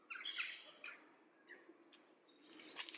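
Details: Soft subsong of an adult Icelandic Redwing (Turdus iliacus coburni) recorded in Leiden, the Netherlands, mid-December 2015; a short, squeaky chattering burst opens, followed by scattered faint high notes and a few clicks.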